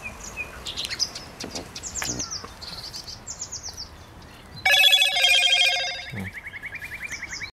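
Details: Thrush nightingale song recorded on 7 May: repeated descending note series, then a loud burst of rich, fast rattling trills at mid-pitch lasting about three seconds, ending abruptly.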